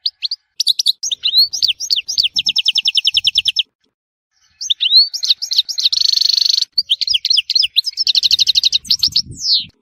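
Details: Goldfinch from Tissemsilt in full song: bright tinkling twitters and a quick, buzzy trill of evenly spaced notes, a short pause, then a dense buzzing phrase and more rapid twittering that ends in a slurred downward note.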